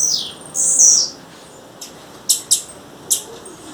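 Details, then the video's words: Female blue-black grassquit calling in the wild: a high, thin two-part squeaky note, then three short sharp chips spaced about a third of a second apart, over quiet background hiss. "Tiziu fêmea, fêmea de tiziu chamando na natureza"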